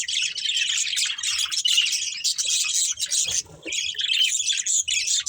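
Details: A breeding pair of budgerigars keeps up rapid, buzzy, high-pitched chirping and scratchy chatter, with one brief lull in the middle of the clip.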